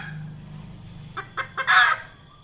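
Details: Red junglefowl hen calling as a trapping lure: three accelerating clucks leading into one loud, rasping squawk, with a low droning hum at the start.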